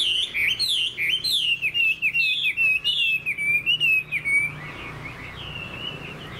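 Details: Chinese hwamei in a cage sings loud, rapid wavering whistles in a dense rhythmic series for about four seconds, then softer drawn-out whistled notes as the song winds down.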